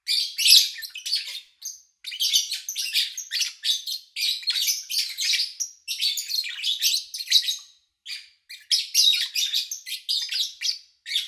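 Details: Almost continuous rasping chirps from lovebirds, rapid and high, pausing only briefly every couple of seconds; recorded cleanly in early August 2019 while the owner travelled.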